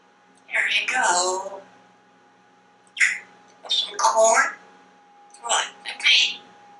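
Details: Talkative male pet African grey parrot chattering indoors about foods he enjoys, such as pizza and corn, producing speech-like syllables in several bursts separated by pauses, with a quiet room background.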